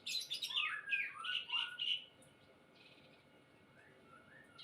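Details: A healthy captive White-rumped Shama kept in a cage during conditioning gives two seconds of loud, rich, varied whistled phrases that slide and warble, followed by softer scattered notes.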